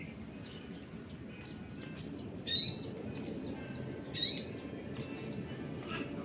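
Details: Sogon sunbird, a lure recording to provoke rival birds, giving thin, very high, piercing chip notes roughly every half second to second, with a couple of slightly longer, lower swept notes mixed in, over soft hiss.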